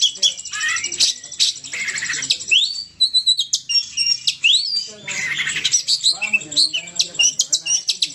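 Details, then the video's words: Energetic 'gacor ngamuk' singing from an Oriental magpie-robin: rapid high chirps, upslurred whistles and rasping trills pour out almost without a break, with brief quieter gaps near three and five seconds. "Kicau kacer gacor ngamuk"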